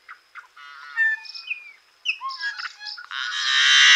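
A yellow-headed blackbird gives harsh clucks and rattling notes, then sliding whistles, ending in a long raspy, buzzing screech.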